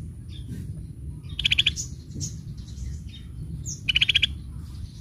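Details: Sunbird singing: two short bursts of rapid high trilled notes about two seconds apart, with a few thin whistles between them, over a low steady hum.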